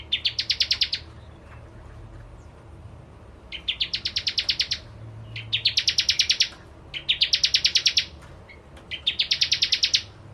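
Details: Bar-winged prinia singing actively, a lure recording for ciblek kristal birds: five bursts of rapid, high, metallic repeated chips, each about a second long, separated by short pauses.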